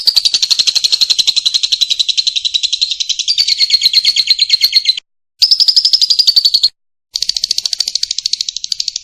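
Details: Long trilling song of a lovebird, recorded as tutor material for songbirds: dense, rapid high-pitched pulses that run for five seconds, break off briefly twice, then continue.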